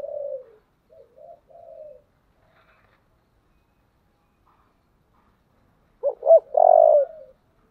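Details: Spotted dove in the 'giọng thổ' voice style, calling with a soft trailing coo phrase, a pause of about four seconds, then two quick rising notes and a loud, sustained low coo.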